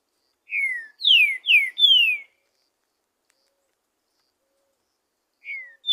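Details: Wild green-winged saltator singing freely in the forest: a phrase of four loud, clear whistled notes, each sliding downward, delivered in about two seconds, then a long silence before the next phrase begins.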